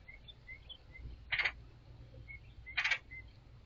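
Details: A chatty red-headed woodpecker sitting on a balcony railing beside bird feeders gives two harsh, raspy calls about a second and a half apart, apparently getting no response before flying to the trees; faint chirps from other birds behind.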